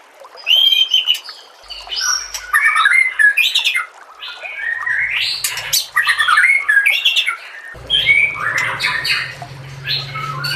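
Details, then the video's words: Rich white-rumped shama song, recorded for training cage birds: loud, varied whistles, rattly notes and sharp chirps in dense bursts, with a low humming background in the second half. "KOMBINASI MASTERAN MURAI BATU PALING LENGKAP DAN PALING JERNIH AUDIONYA"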